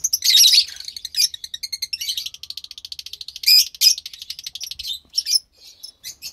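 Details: A pair of pastel lovebird chicks gives a rapid run of high, pulsed chirps, fast and repeated like begging, with louder squeaky bursts breaking in.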